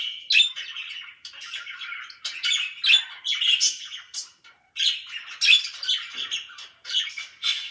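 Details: Pet budgies call in short bursts of harsh, squawky chirps and buzzy warbles, separated by brief quiet gaps.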